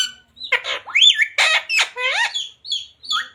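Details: Parrot talking, said to say radhe radhe, jai shree ram and sita ram; rapid harsh, squawky speech-like syllables with bending pitch, followed by a few short high whistled notes.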